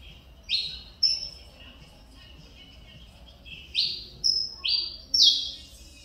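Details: Mineirinho saffron finch with Cobrap runner-up father and CMA mother, singing again after almost two years of stuck plumage. Clear, loud notes, some sliding down and some held flat, come in two groups with a pause between.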